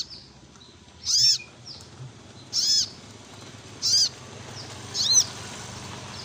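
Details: Four strong, high-pitched arched calls from an olive-backed sunbird in gacor ngleper song, spaced just over a second apart, with faint thin whistles in between.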